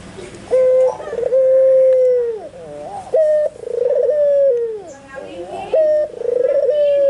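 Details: Albino white Barbary dove calling intensely, kept for tutoring other birds: a short level note, then a long throaty rolling coo that slides downward at its end, the pattern repeating about every two and a half seconds, with faint room noise.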